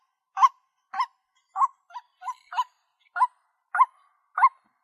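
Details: White-breasted waterhen (Amaurornis phoenicurus) giving harsh, nasal 'kwak' calls, about nine in five seconds at an uneven pace, with no other sounds; a clear lure recording meant to draw waterhens closer.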